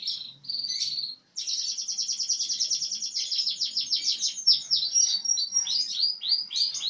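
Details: Actively singing bird: a short whistled opening note, then a long, fast run of sharp, repeated high notes about three or four per second, shifting into downslurred whistles toward the end.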